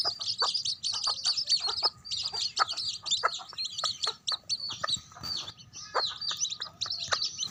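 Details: Mother hen with her baby chicks: constant high, thin chick peeps overlapping almost without pause, punctuated by short, low, repeated clucks from the hen throughout.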